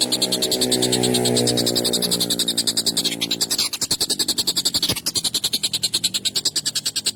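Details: Collared kingfisher, agitated and calling long, sharp and harsh, used for training songbirds. Fast grating kek notes continue throughout, overlaid at first by a low, droning tonal sound.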